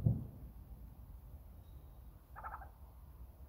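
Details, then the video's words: A male Burrowing Owl chirps at the recordist, one brief, stuttering chirp of a few quick notes, over a steady low rumble with a soft thump at the start. "Burrowing Owl sounds"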